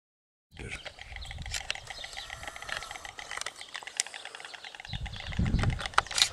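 A white stork clatters its bill in a fast, dry, wooden rattle that runs unbroken for several seconds, with low wind rumble near the end.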